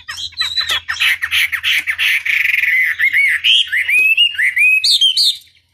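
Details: Chinese hwamei tutor song for provoking a reply: a harsh, noisy chatter opens, then clear whistled notes climb stepwise higher, ending in sharp upward-slurred whistles before fading out.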